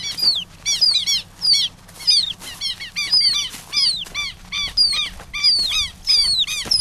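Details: Handheld Southern lapwing chick, later set free, calling with insistent high falling peeps, often doubled, about one or two per second, with a low background hum.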